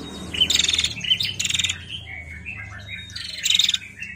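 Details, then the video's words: Female bar-winged prinia in narung style, giving short clipped notes and fast buzzy trill bursts, while another bird's lower warbled phrases run softly underneath between bursts. "PRENJAK BETINA GACOR NARUNG"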